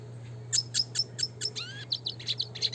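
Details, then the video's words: Crisp high notes repeated roughly every quarter second, then a rising slurred whistle and more quick chips: classic red siskin in gacor nembak ngeroll song for training, over a low background hum. "pancingan suara kicau burung red siskin klasik gacor nembak ngeroll"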